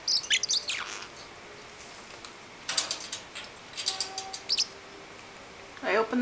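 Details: Pet parrotlet, a nine-week-old male kept indoors, calling loudly while excitedly chasing another bird and wanting to play with his brother; sharp, shrill squawks and chirps in scattered bursts, with a woman talking nearby.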